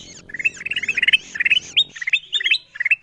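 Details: Lure call of the kutilang emas bulbul for wild birds: fast chattering runs of short rising whistles, over a low droning rumble that stops abruptly after about two seconds.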